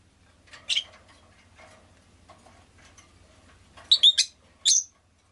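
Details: A rosy-faced lovebird chirps once early, then after a quiet stretch lets out a tight cluster of three shrill, piercing notes and one final chirp, with a low background hum.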